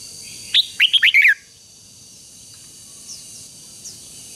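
Red-whiskered bulbul giving a quick, bright phrase of four or five clear, slurred whistles, rising then falling, over faint background hiss with a couple of distant chirps.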